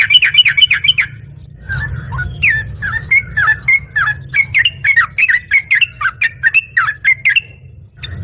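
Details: Yellow-vented bulbul in lively, full song, answering at once: a quick burst of sharp chirps, a short pause, then about twenty bubbly, slurred notes at a steady pace over a low background hum.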